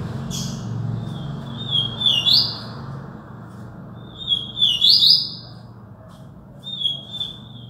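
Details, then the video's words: Yellow-bellied seedeater singing in Alagoas: three short bright warbled phrases, each a thin whistled lead-in sliding into a quick buzzy twitter, about every two and a half seconds, over a low steady hum. "papa capim"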